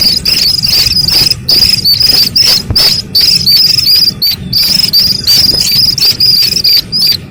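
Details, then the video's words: Calling of a young Slaty-legged crake: a near-continuous stream of shrill, high peeping notes with brief gaps, slightly wavering in pitch, steady and loud throughout, faint low hum underneath. "Suara anak Burung Sintar MP3 || Slaty-Legged crake"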